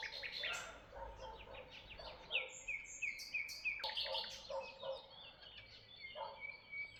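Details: Birds chirping in Tuzla: a busy run of short, sharp chirps and brief downslurred notes, about three a second and irregular, with some lower harmonic notes underneath and faint background noise.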